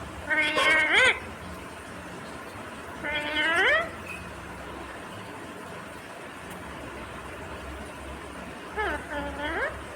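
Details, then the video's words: Indian ringneck parakeet imitating the words "mummy papa"; three widely spaced voiced phrases with sliding, upswept inflections, separated by long quiet stretches over a steady background hum. "Natural Indian Ringneck Parrot Sound ❤️ talking Parrot mummy papa"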